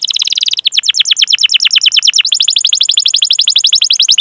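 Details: Rolling canary song used to coax young or non-singing canaries: continuous fast high trills, changing tour twice into slightly slower, sharper repeated notes, loud and unbroken.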